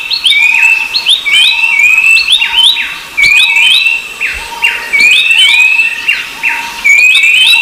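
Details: A rufous-browed babbler repeats shrill whistled phrases, an upswept note followed by a level whistle. The phrases come in a regular stream, with layered echoes.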